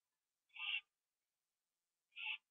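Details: Owl finishing a gopher on a porch at 11:15 PM, September 21, 2011. Two hoarse, rasping screeches with a hollow lower undertone, about one and a half seconds apart, against a quiet night.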